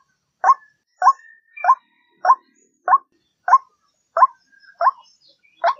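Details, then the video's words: White-breasted waterhen croaks used to draw waterhens near: nine rough, nasal notes, each rising slightly, delivered at a regular spacing of a little over half a second. "Suara pikat Mp3 Ruak ruak"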